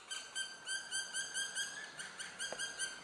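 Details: Juvenile black woodpecker, probably a female, remaining at a nest high in the trees while the parents call to urge it out; a loud ringing note repeated in rapid rhythmic series, about four per second, with bright harmonics.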